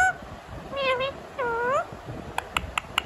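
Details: Pet Indian ringneck (rose-ringed parakeet) in talking mood imitating a cat's meow: two drawn-out, nasal, arching meows of about half a second each, then a run of sharp clicks or taps.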